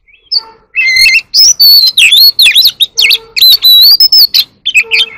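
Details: Loud, almost unbroken competitive singing by an Oriental magpie-robin, with sweeping whistles, rapid warbles and harsh squawky notes packed closely together, plus a few soft low tones at the start and end.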